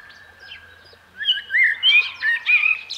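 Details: Common blackbird singing: a low fluted, warbling phrase near the middle range, then a string of higher, quicker twittering notes, with quiet background before the song starts.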